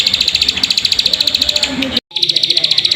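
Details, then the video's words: Plain prinia lure recording meant to set caged birds singing: a steady, rapid train of high, rasping ticks, roughly four per second, cut by a brief silence near the end, then resuming. "Pancingan Burung Ciwah/Ciblek Sawah Agar Bunyi"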